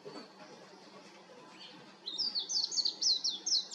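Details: Warbling white-eye singing from an electric wire: after two quiet seconds, a fast, high, jumbled twitter of thin sweet notes rising and falling without pause.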